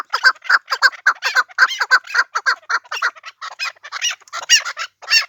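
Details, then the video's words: Chukar from the Pamir uttering repeated harsh cackles at a fairly even pace near two per second, the later notes turning rougher and higher. "Кабки Помир"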